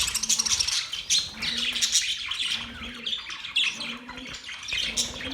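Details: Several budgerigars warble in a mating context, giving rapid, rasping chatter and high chirps, while a low, flat hooting note recurs about once a second.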